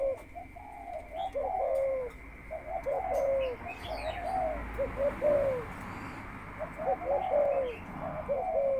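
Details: Spotted dove kept as a ground decoy before breeding coos in loose bursts of short guttural notes with descending tails, several phrases spaced by pauses; chirping birds and a high constant tone in the background.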